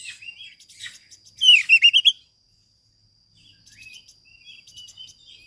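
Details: Training song of an Oriental magpie-robin for birds that have stopped singing: soft scratchy twitters, then a loud rapid run of about five rising whistled notes, a pause, and quiet warbling afterwards.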